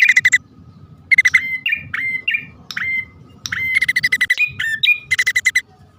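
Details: Bar-winged prinia pair, male and female calling: short pulsed buzzy rattles alternate with strings of bright rising chirps, the rattles growing longer toward the end.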